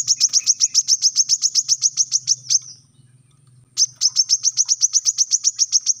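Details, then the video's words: Brown-throated sunbird delivering rapid-fire 'tembakan rapat' master song for captive birds: a run of piercing high notes about four per second, a second-long silence, then another rapid run. "Tembakan rapat | Kolibri kelapa | manggar | wiceh | suara pancingan | masteran untuk burung bahan"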